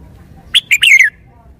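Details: Caged red-whiskered bulbul song: a short phrase of three bright whistled notes, the last longer and sliding downward, with a low background hum.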